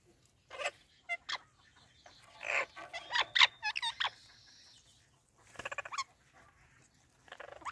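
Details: Pet talking Indian ringneck parrots greeting each other, a mix of harsh squawks, clicks and whistled mimic-like phrases, with a long flat whistle and bursts of rasping chatter spread through the clip.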